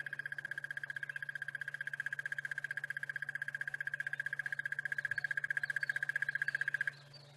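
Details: Crested barbet on a South African sunrise safari drive through savanna bush, 30 September 2016: a long, even, fast trill on one mid-high pitch, like an alarm clock or cricket, holding for about seven seconds over a low engine hum.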